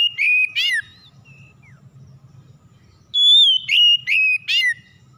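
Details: Oriental magpie-robin lure song, played to make non-singing magpie-robins sing. Two loud whistled phrases with a falling slur open the clip, a quiet gap with faint low rumble follows, then four clear whistles.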